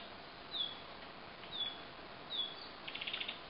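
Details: A juvenile Asian brown flycatcher hidden behind branches, with a parent calling in alarm nearby: three thin, high, slightly falling whistles about a second apart, then a quick burst of short ticking notes, over steady hiss.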